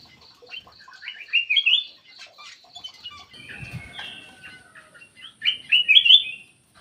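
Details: Black-crested bulbul lure call: a quick series of clipped notes leading into a loud warbled phrase, murmuring chatter, then another bright, rolling warble.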